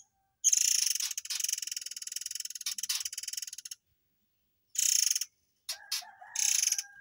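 Murai air delivering rapid, buzzy rattling bursts of high-pitched pulses, a short pause, a lower whistled note, then another fast rattle.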